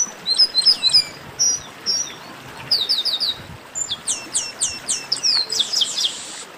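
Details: A flock of chestnut-capped blackbirds singing together, a chorus meant to stir other singing birds into song: rapid, overlapping high whistles and downward-slurred notes, about three or four per second, with no other sounds prominent.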